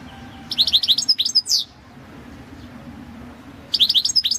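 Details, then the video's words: Balkan European goldfinch (Carduelis carduelis balcanica) singing for a 2022 world goldfinch song championship: a rapid run of tinkling, liquid chirps ending in a buzzy rising slur, a pause, then another quick twittering phrase begins. "Pesma štiglića 006/22 World Championship in Goldfinch Song"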